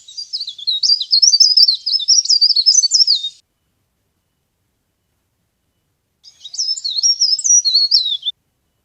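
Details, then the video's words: Leaf warbler (pare pare) used to lure birds for trapping: a long three-second torrent of high, jittery, fast notes, silence of about three seconds, then a shorter two-second burst of the same twittering. "CIKRAK DAUN GACOR | CIKRAK DAUN PIKAT | SUARA PARE PARE GACOR"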